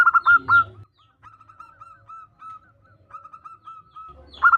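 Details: Female zebra dove calling the male. Loud stuttered coos open and close a long run of soft, evenly spaced short notes at one pitch in the quiet middle.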